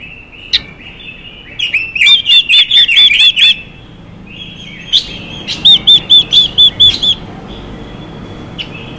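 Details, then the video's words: Chinese hwamei hen singing to rouse males: a sharp click, then a run of about seven bright looping whistles, a pause, and a second run of six, with faint clicks between. "Quế lâm hót hay kích trống Quế lâm mái xùy kích trống căng lửa hót hay"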